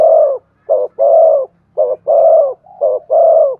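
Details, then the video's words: Spotted dove cooing to stimulate wild birds: loud, low, hoarse coos alternating short and long notes, a brisk rhythmic series with barely a pause between phrases. "Chim cu gáy kích bổi nhanh nổi. tiếng cu thúc gù hay"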